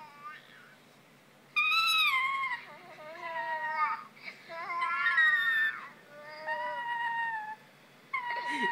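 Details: A male pet lorikeet gives drawn-out, wavering whines that rise and fall like a crying baby, in several long bouts, with a person's voice faintly in between.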